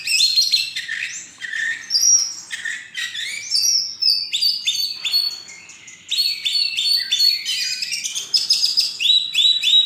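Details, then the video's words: White-rumped shama that won a songbird contest in November 2023, singing long rich sequences of high whistles, buzzy trills and mimicked-sounding chirps, with one brief lull mid-song. "Kacer Juara 1 Festival dan Lomba Burung 26 Nov 2023 !"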